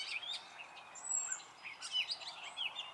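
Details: Brief burst of spring song from a male Gray catbird, a few thin whistles and squeaky chirps over a soft hiss.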